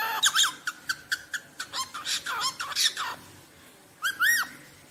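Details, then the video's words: Rosellas calling with a fast run of harsh, chattering notes over about three seconds, followed after a pause by two clear whistled notes, rising then arched. "Som de Roselas Cantando"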